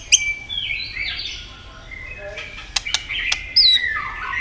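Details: White-rumped shama in competitive, many-voiced singing: short bright whistled phrases sliding up and down, broken by a few sharp clicks, with a louder rising twist of notes near the end.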